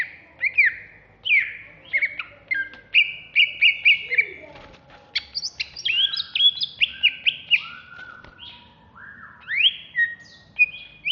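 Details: Caged Alas Purwo greater green leafbird, contest-ready, Jatiasih, Bekasi, in an agitated song: varied whistles, trilled chip series and sweeping slurs delivered in quick phrases across the whole stretch.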